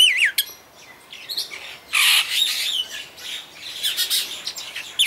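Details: Superb starling (Spreo superbus) at Vogelpark Walsrode, Germany, sings a rambling, high medley of warbling whistles, slurred notes and harsh chattering bursts, changing phrase every second or so.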